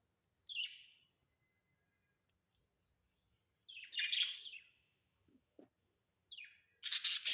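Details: Pet budgerigars at home, with a lone falling chirp, a scratchy double chirp after a long silence, then a loud raspy squawk at the end.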